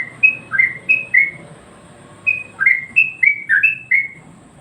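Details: Master song of a sooty-headed bulbul (trucuk), played to train and excite other birds: a short phrase of four liquid, down-slurred whistles, a brief pause, then a longer burst of about six similar notes over faint background hum.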